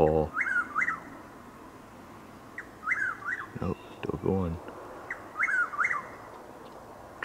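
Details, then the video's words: Overcast, drizzly April dawn in Highlands County, Florida: a Chuck-will's-widow repeats its quick whistled phrase three times, about every two and a half seconds, while a man talks in short bursts between calls. "Chuck-will’s-widow (Antrostomus carolinensis Gmelin 1789) making its call"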